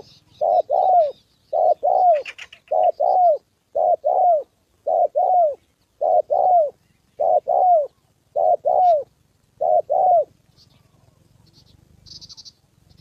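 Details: Spotted dove used as a trained decoy in a trapping session, facing a wild fighting male and a female descending: paired low coos, short then longer and falling, repeated about once a second, faint high chirps from another bird.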